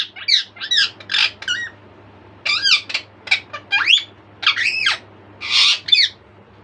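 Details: A caged pet bird stays awake and noisy around 2 pm while the other birds sleep, giving loud, harsh squawks and warbling chirps in quick bursts.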